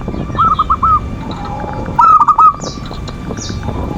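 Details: Zebra dove manggung song used as a lure to rouse lazy doves and provoke rivals: two short bursts of rapid, rolling, slightly rising cooing notes, each about half a second, over a steady background hum.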